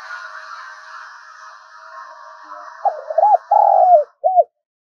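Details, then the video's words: Decoy spotted dove calling to provoke wild doves; after several seconds of broad background hiss, one low phrase of quick coos, a drawn-out falling note and a short last coo. "tiếng cu gáy Mồi gáy gọi, tiếng gáy gây ức chế cho bổi rừng và mồi cực gắt"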